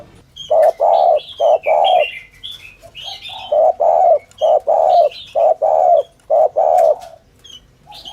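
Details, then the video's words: Spotted dove, thổ thúc gù coo used to lure doves: repeated low, hollow short-long coo pairs over about seven seconds, with chattering and whistled notes of small birds overhead, then quieter at the end. "tiếng chim cu gáy chuẩn thổ thúc gù"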